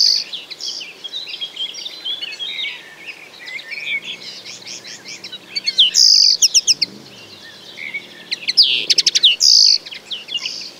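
Common linnet singing a rapid, twittering medley of high chirps and trills, with louder bursts of sharp notes near the middle and end.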